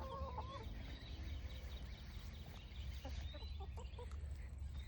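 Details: Backyard flock of hens foraging in the morning: a few drawn-out, tonal calls at the start, then scattered short clucks over a steady low hum and background noise.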